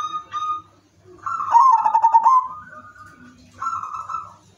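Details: Zebra dove, silver 'udan mas' type, singing its melodious prompting song for other doves: a brief opening coo, then one strong quavering trill that slides into level held notes and a final soft coo.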